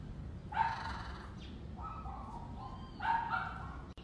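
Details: Wild macaw with a fresh coconut drink giving two loud, hoarse squawks about two and a half seconds apart, with a softer nasal call between them and low background rumble.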